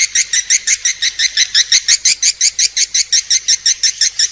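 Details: Swiftlet calls recorded as a masteran training track for birds: loud, sharp chirps repeated steadily about three times a second, each a bright high-pitched note, with a faint constant hiss and nothing else.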